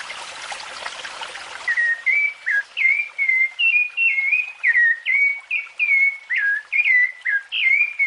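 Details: Rufous-bellied thrush (Turdus rufiventris) sings a run of clear, fluting whistled phrases, about two per second, each rising and falling slightly, after a brief burst of hiss.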